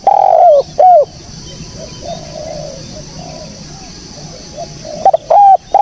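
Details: Clear spotted dove calling used as a lure: two loud mellow coos, then a stretch of softer, distant cooing, and another loud pair of coos closing the sequence.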